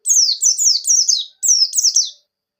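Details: Buxtoni Javan white-eye, wild-caught, singing loudly in the 'ngerol nembak' style used as a lure for silent birds: two quick runs of shrill, downward-sliding notes, about four per run, then silence.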